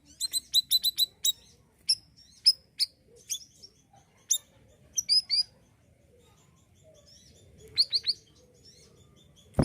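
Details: Lively siri-siri bird song used as a tutor recording for other songbirds. A quick volley of high, sharp chips is followed by spaced high whistles and twitters, with a short flurry near the end and a click at the close.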